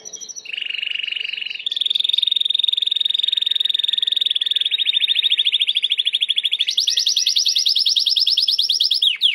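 A Timbrado canary sings long, even rolls and trills, held steady near one pitch before jumping higher into a fast, bright, pulsing tour.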